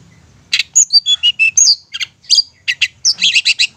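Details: Cendet, the long-tailed shrike, in a lure recording meant to provoke mute or sulking birds into vigorous singing: a quick run of short high chirps, slurred whistles and rasping notes over a faint steady low hum.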